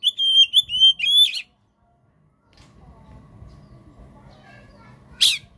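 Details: Kacer, the Oriental magpie-robin, singing as a training and lure recording for silent birds: a smooth, wavering whistled phrase ending in a rasping note, then quiet with low background noise and one more harsh burst.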